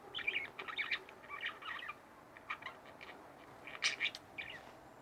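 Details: Two pet budgerigars kept indoors, soft warbling chatter of quick scratchy notes in clusters, with brief gaps between bursts.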